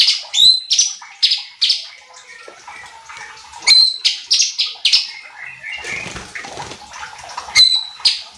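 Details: Cucak cungkok bulbul on a training recording for provoking other birds: short, sharp high notes repeated in an uneven series, with a rustling, scratchy interval toward the end.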